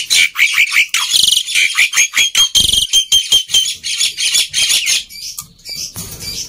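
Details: A continuous, loud black-winged myna performance of rapid grating notes and buzzy chatter, about two to three per second, easing toward the end; played to coax quiet mynas to sing.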